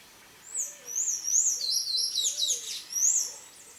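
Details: Chicks of the buff-necked ibis begging for food in natural habitat in the Brazilian Cerrado, giving very high, wavering whistled squeals in overlapping bursts, with soft lower arched notes underneath.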